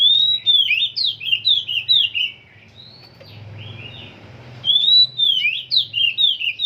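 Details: Oriental magpie-robin, kept bird in song training, singing phrases of quick whistled, sliding notes in two bursts separated by a quiet gap, with a low hum in the background.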